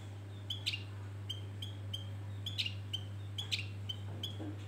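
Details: Javan grey-throated white-eye (opior jawa), male, used as a bait song to lure birds: a string of short, high, bright whistled notes repeated every half second or so, over a steady low electrical hum.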